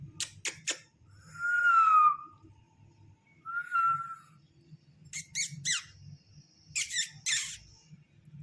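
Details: A pet Indian ringneck (rose-ringed) parakeet indoors, coaxed to come for breakfast but sulking and refusing, gives a few sharp clicks, then two long, clear mid-pitched whistles sliding slightly down, then harsh, grating squawks over room hum.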